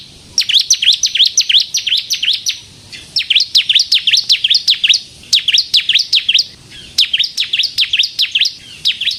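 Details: Bar-winged prinia, an active 'crystal' singer used as a lure and to provoke other birds: four bursts of rapid, high, piercing chirps, each note dipping and rising, with short silences between bursts.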